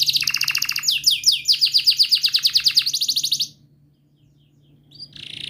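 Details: Long canary song used to stimulate a stuck canary and teach young birds: a rapid pulsed trill, then a rolling series of quick descending notes, a pause of near silence, and a soft high note returning.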